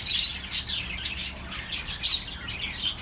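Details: Short burst of many birds chirping for lonely pet birds: loud, high twittering bursts at the start and near two seconds, with constant chatter between.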